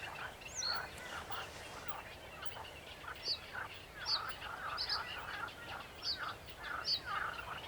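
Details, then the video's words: Song of a sedge warbler with another bird nearby, 28 June 2021: lively, jerky chattering phrases of rasping and churring notes rising and falling in loudness, mixed with crisp, high, squeaky notes repeated roughly every second. "Śpiew rokitniczki"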